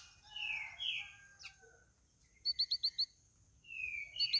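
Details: Sooty-headed bulbul, caged and on day four of care, calling back to other birds: two full whistled phrases, then a rapid burst of five sharp, even notes, and more whistling at the end.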